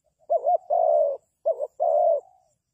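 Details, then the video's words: Spotted dove kept as a decoy for trapping, heard in two clear phrases. A brief quavering double coo leads into a long smooth croon, and the second phrase trails off softly. "The Sound Of Dove is very good Trap,Bẫy cu gáy bằng mồi trồn"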